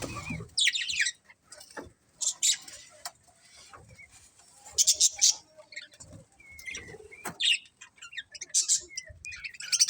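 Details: Budgerigar colony chatter with scattered high, scratchy chirp bursts and short whistled notes over a quiet background, loudest toward the end.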